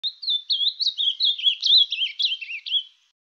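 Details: A wild ultramarine grosbeak singing in nature: one rich, warbled phrase of about ten quick slurred whistles lasting three seconds, drifting slightly lower toward the end; no other sounds.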